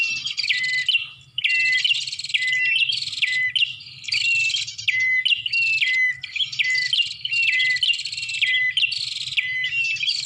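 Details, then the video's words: Bar-winged prinia lure call meant to draw birds close: sustained high, scratchy chattering punctuated by short falling whistled notes roughly once a second, with rapid clicking trills between them. "Suara Pikat Burung Prenjak"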